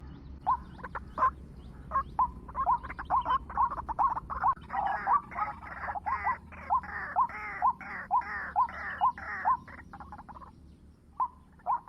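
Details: White-breasted waterhen calling at 7 in the morning, used to lure birds: harsh, croaking notes repeated about twice a second, overlapped by dense rasping bursts mid-clip, then a brief pause and a few final notes.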